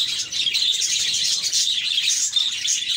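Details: Pet budgerigars in a cheerful group chirp nonstop, forming a bright, dense shimmer of high squeaks, quick tweets and warbled chatter.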